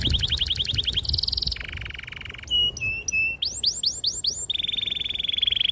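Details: Long, clear canary song meant to stimulate young or silent canaries into singing: rapid buzzy trills, steady held notes, rising whistled loops and quick repeated chirps in varied phrases, with faint low background hum.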